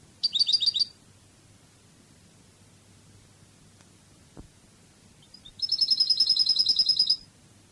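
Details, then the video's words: Cadiz-style song of a European goldfinch from a training recording, a short tinkling burst, a long pause with a faint click, then a fast rattling trill of repeated high notes. "CANTO DE JILGUERO CADIZ شريط لغة الحسون الإسباني قادس"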